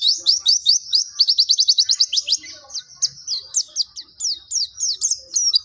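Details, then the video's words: Pleci Dakun white-eye from Pacitan singing nembak with mantenan and zipper witwit: a long, even series of sharp downslurred notes, fast at first, then slowing to about two or three per second. "Pleci Dakun pacitan nembak mantenan&zipper witwit"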